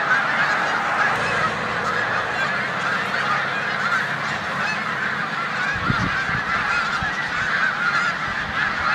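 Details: Migrating snow geese resting in a New York corn field on 14 March 2020, alongside resident Canada geese; a steady wall of overlapping honks, with a brief low thump just before the midpoint.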